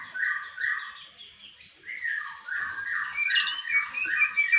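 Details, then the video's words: Konin singing a master song for songbird keepers: mellow repeated whistles mixed with harsher chatter and a sharp high note midway. "Konin mewah masteran wajib kicau mania"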